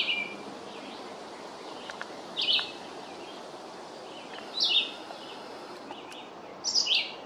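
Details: A red-eyed vireo sings its long song, terse whistled phrases, some dropping and some rising in pitch, repeated every couple of seconds with faint extra notes and steady hiss behind.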